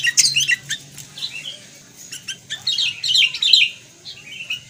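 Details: Kutilang, the sooty-headed bulbul, singing loose bursts of sharp chirps and short warbled phrases. There is a loud cluster at the start and another near the third second, with pauses between. Soft background hum throughout.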